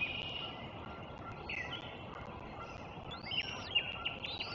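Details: Bald eagles at their nest, recorded 03.04.2024: a few high, thin whistled chirps sliding up and down, partly masked by steady broadband noise.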